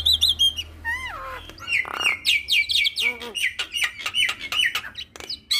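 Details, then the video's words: Javan myna (jalak kebo) in full-repertoire 'isian' song, used as a training recording to get other mynas singing: clear falling whistles, a harsh buzzy burst, then rapid chattering high notes repeated in quick succession. "Jalak Kebo Full Isian Mantap Bikin Semua Jalak Ikut Bunyi"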